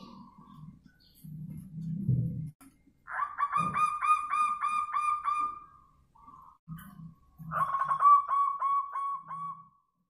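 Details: Zebra dove giving its manggung song in response to a lure bird: rapid rolling runs of short, clear cooing notes, each phrase several seconds long and repeated after a pause, with soft low thuds between.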